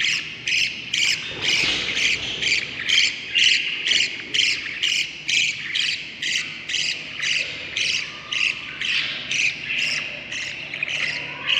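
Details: Budgerigar chicks in the nest during breeding, day 38 after the eggs, seven young in the brood: sharp, buzzy chirps repeated steadily about twice a second, each short and rasping.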